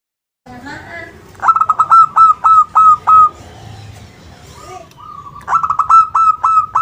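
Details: Local zebra dove song used as a lure to get other birds to answer: bursts of rapid, clipped whistled notes, around eight per burst, each a sharp rise then a level tone, with a short pause between two bursts.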